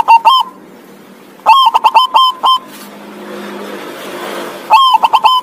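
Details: Local zebra dove giving short bursts of quick, clipped coos separated by pauses, with faint background hiss between phrases.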